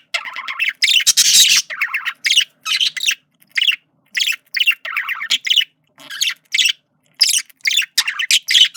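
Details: A flirting male budgie gives loud, harsh chattering bursts and clipped squeaky notes in quick succession, with short pauses between phrases.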